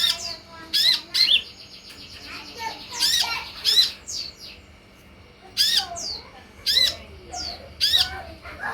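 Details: Sunbird lure and tutor recording meant to make sunbirds answer: repeated scratchy, very high squawks in irregular clusters, with brief downward-sliding whistles and a steady faint hum behind.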